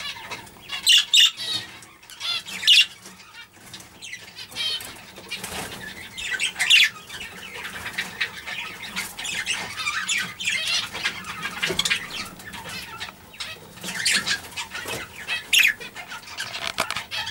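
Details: A young budgerigar in a cage gives sharp chirps and scratchy chatter, with bursts of fluttering wings.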